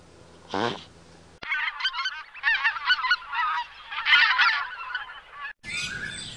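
A flock of geese honking over one another in a busy, overlapping clamour of nasal calls. A brief low call comes before them and a cut to another sound follows.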